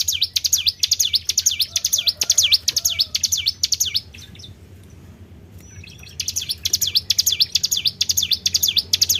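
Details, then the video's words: Lure recording of a Tribel bird: quick, high, swooping V-shaped whistles repeated steadily, then a pause of about two seconds with only a low hum, after which the same dipping whistles resume. "PANCING BUNYI BURUNG TRIBEL"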